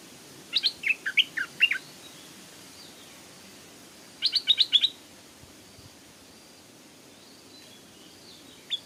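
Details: Stripe-throated Bulbul by a canal, where a wild bird came down to fight a caged young decoy; a bright, jerky phrase of varied chirps, then a quick cluster of sharp high notes and a lone final note.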